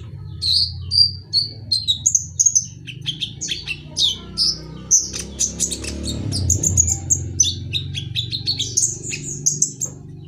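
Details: A lively olive-backed sunbird in a flight aviary pours out high, sharp tweets, slurred whistles and fast twittering phrases, nearly nonstop, over a steady low hum.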